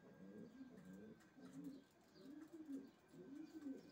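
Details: Racing pigeons cooing softly, repeated low rolling phrases about once a second, throaty and slightly wavering, over a quiet background.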